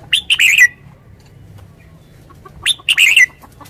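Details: Red-whiskered bulbul delivering two quick, liquid, chirpy phrases, each ending in a downslurred whistle, separated by a short pause.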